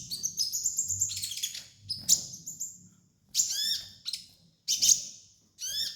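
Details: Sunbird (kolibri ninja) song kept as a master recording for training birds: bursts of sharp, high chirps and short down-slurred whistled notes come in clusters with brief silent gaps, over a faint low rumble.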